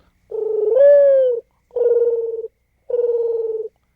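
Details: Mourning Dove call often mistaken for an owl hoot: a low, hollow, mournful coo, a longer first note that lifts then sags, followed by two steady, soft notes, with nothing else heard.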